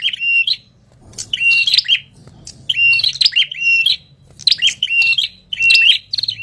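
Ashy tailorbird giving loud, harsh, chattering calls mixed with high, flat whistled notes, in bursts about once a second, with a faint low hum behind.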